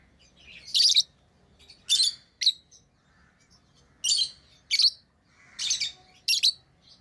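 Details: Tame lovebirds giving loud, shrill chirps and short squawky bursts, about seven calls spaced roughly every half second to one second, some doubled, in a quiet room.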